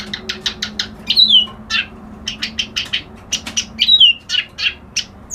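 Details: White-browed reed warbler, the kerak basi alis putih, giving steady rhythmic harsh chacks about four per second, interrupted twice by a thin high descending whistle, over a faint low hum.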